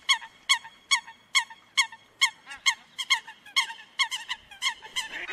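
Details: Eurasian coot (Fulica atra) gives a fast series of short, nasal, honking notes, about two a second and fairly even, with a faint hiss building at the end; used as a night trapping lure.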